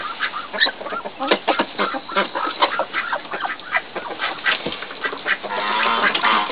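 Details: Short, soft chirping notes in quick uneven bursts as Muscovy ducklings hatch from a hen's clutch of eight eggs, while a person speaks gently nearby.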